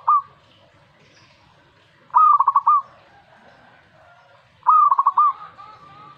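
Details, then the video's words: Zebra dove answering a master recording with its song: the end of one phrase, then two full phrases of a short ringing coo leading into a rapid, evenly broken series of mellow notes, repeated roughly every two and a half seconds. "Langsung reaksi buat masteran perkutut"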